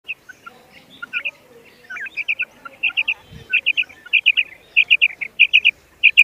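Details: Common quail calling in sharp three-note bursts, each high clipped triplet following the last about every half second and growing louder toward the end, with a faint lower chirp early on.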